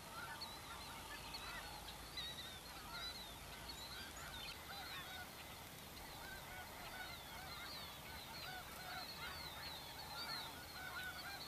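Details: Snow geese with Blues, Ross's geese and other waterfowl loafing and feeding in the Dakotas on spring migration; continuous chorus of many short, wavering honks, irregularly spaced, from a large distant flock.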